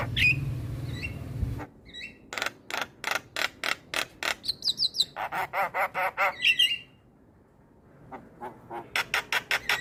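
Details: Starling song played as a lure for other starlings and reluctant singers: rapid series of sharp clicking bursts, short whistled slurs and a buzzy phrase, pausing briefly before a fresh run of clicks.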